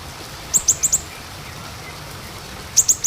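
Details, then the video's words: Small minivet lure sound: a quick run of four very high, thin, short notes, then after a pause another burst of three similar piercing notes, over a faint steady hiss. "pancingan untuk siri siri kecil"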